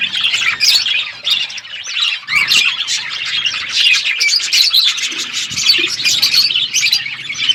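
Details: Parrots chattering as they eat, recorded on February 25, 2024; a steady wall of shrill, scratchy chirps and short squawks runs unbroken for several seconds.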